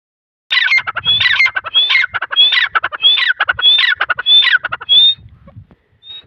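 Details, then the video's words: Steady series of grating squawks, roughly one every half second, each topped by a high whistled note, from grey francolin chicks in Taunsa; the calling fades near the end. "Dakni titar chicks|dakni titar sound"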